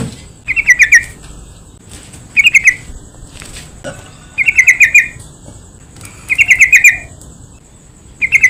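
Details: To provoke other bulbuls into song, a yellow-vented bulbul delivers gurgling, rapid chatter phrases of several notes each, returning about every two seconds, with a steady faint hiss throughout.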